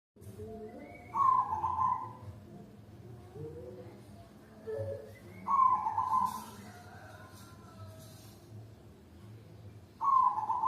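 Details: Zebra dove lure call with a mid-pitched, slightly trilled coo phrase that falls at the end, repeated about every four to five seconds over a steady low hum.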